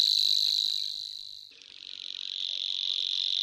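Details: A grasshopper warbler (Locustella) sings its dry, high, buzzing reel. It fades midway, then swells again slightly lower and rougher, as if the bird turned its head. A faint whistled note shows near the end.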